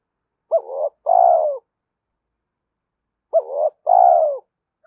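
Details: Spotted dove giving its coo for training decoy birds: a pair of phrases nearly three seconds apart, each a quick rising hoot then a longer gently falling coo, otherwise silent.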